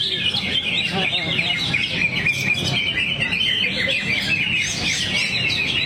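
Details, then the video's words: Greater green leafbird pouring out its song material in a low crouched 'teler' posture: a dense, continuous run of bright twittering, whistled and buzzy phrases, with faint low voices underneath. "Cucak Hijau Luke H. Yogi buang materi sambil teler"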